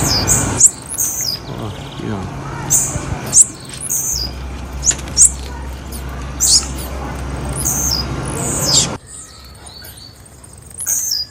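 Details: Female blue-black grassquit giving brief, high, sharp chirps, often in quick pairs, about ten notes in all. A low background hum drops away near the end.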